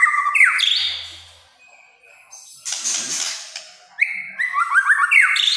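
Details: White-rumped shama performing kretekan song, said to stir up other shamas: fast rising and falling whistled phrases at the start and end, separated by a noisy gap.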